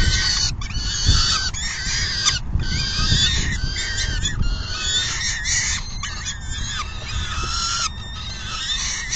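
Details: Peregrine falcon feeding at the nest, June 10, 2022, late afternoon; rasping, drawn-out harmonic calls in bursts about once a second, broken by short gaps, with low background rumble.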